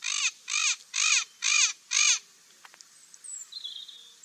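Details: Parrot giving five loud, harsh, rasping squawks in quick succession about every half second, followed by quieter scattered chirps and whistles in the background.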